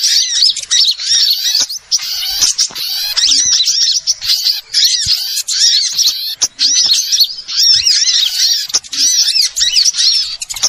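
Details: Small-bird lure sound used for trapping: ongoing rowdy chatter of sharp arched chirps and thin whistles from many birds, coming in bursts of a second or two with short silences between.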